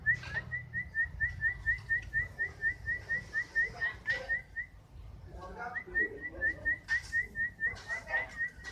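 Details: Canary, fighter (faigter) type, delivering a long regular string of short rising whistles, roughly two per second, pausing about a second before resuming the same even pattern.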